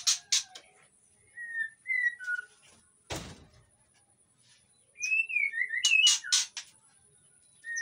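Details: Captive White-rumped shama (Copsychus malabaricus) in breeding condition, kept in an Indonesian aviary, sings to lure other shamas into answering: clear, varied whistled phrases slurring up and down, loud sharp chips and clicks, over a steady high electrical whine.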